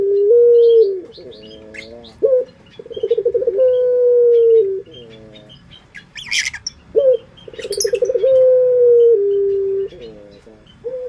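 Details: Melodious puter pelung dove, a sought-after local pet, in a lure recording. Loud long coos with stuttering, pulsed starts and a steady held tone, repeated about every three seconds. A brief rustling burst occurs midway.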